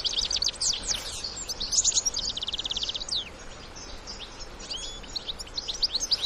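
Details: European goldfinches, adults and young together in the wild, give dense, fast high twitters and tinkling chirps that overlap in busy bursts, fading to scattered notes, against steady outdoor background noise.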